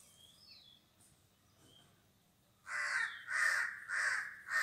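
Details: A crow giving three to four loud, harsh caws in a row during the second half, preceded by faint high whistled notes and quiet background.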